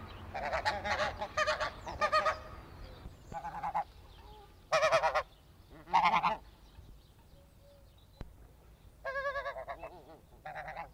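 Snow goose giving loud, nasal, high-pitched honks in quick bursts, with short pauses between groups and faint background noise.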